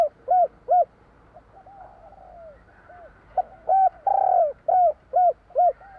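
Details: Spotted dove 'kuk 3' song: paired hooting coos, a soft drawn-out falling phrase, then a dense run of coos around one long burry note, about two to three per second.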